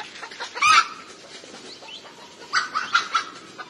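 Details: Red junglefowl calling: a short loud harsh call near the start, then after a pause a cluster of three or four clipped calls, over steady background hiss.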